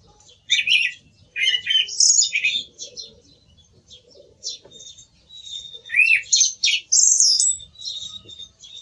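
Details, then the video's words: Song thrush singing busy phrases of shrill, varied whistles and twitters, pausing mid-clip, then a fresh burst of rising and high notes. "Sonido del Zorzal Comun - Sturz cantator - TURDUS PHILOMELOS"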